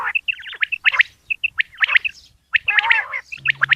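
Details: A female common quail calls early in the morning with quick chirping notes and short bursts in uneven rhythm. A low steady hum enters near the end.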